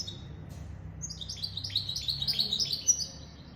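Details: Goldfinch × canary mule delivering a fast, high, tinkling twitter of short sliding notes that grows busier toward the end, with faint low hum underneath.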